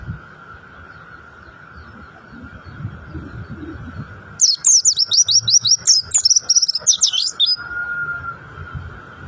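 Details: Mountain white-eye bursting into a three-second rock-and-roll style phrase of fast, high, zigzagging twitters after a quiet start, over a continuous droning tone.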